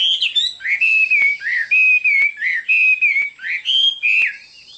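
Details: Chinese hwamei whistling a series of clear, level and gently rising notes, each held about half a second, with sharp clicks between phrases.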